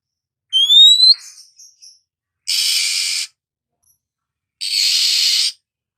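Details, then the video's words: Morning Oriental magpie-robin giving a bright rising whistle with a few soft twitters, then two long harsh rasping calls about two seconds apart. "suara burung Kacer pagi hari"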